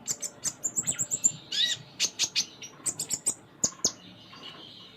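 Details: A Sunda minivet (kolibri ninja) in gacor full-isian song: a fast series of thin high whistles and ticks, one buzzy rasping phrase, more sharp chirps, then a fading hiss.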